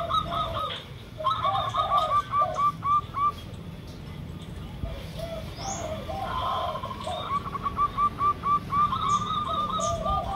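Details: Zebra dove (local perkutut) lure recording with a derkuku also calling: repeated quick bursts of high ticking coo notes at a fast beat, separated by slower lower cooing phrases, one brief rising squeak midway.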